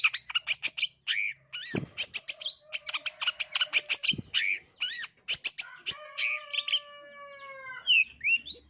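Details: Long-tailed shrike master song from East Java, used as a lure to make shrikes sing aggressively: long series of fast, clipped chattering notes, a couple of sharp clicks, then drawn-out steady whistles and rising slurred notes.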